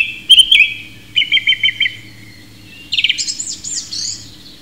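A song thrush sings loud, clear phrases, a quick run of five or six repeated notes, then a bright tumbling burst of higher whistles; faint low hum beneath.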